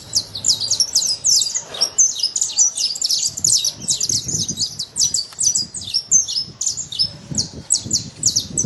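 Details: Wild saffron finch singing free in nature: a rapid, steady run of high, sharp chirps and short slurred notes, with soft low rustling and faint background noise beneath.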